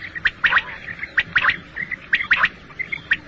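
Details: Single male quail (batair) calling, a morning and night recording used for hunting: short bright chirping notes in quick clusters of two or three, repeated about once a second, with softer rasping undertones and a quiet background.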